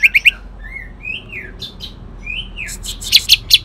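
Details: Kalimantan cucak ijo leafbird singing in 'tembakan kasar' style with imitated shrike phrases: three sharp chips, a series of slurred rising-falling whistles, then loud harsh clicking bursts.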